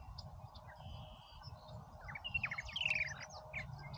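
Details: A purple martin at Oak Harbor, Ohio, among a busy group, gives a short burst of descending chirps and rattled notes after a quiet start, with a low background rumble.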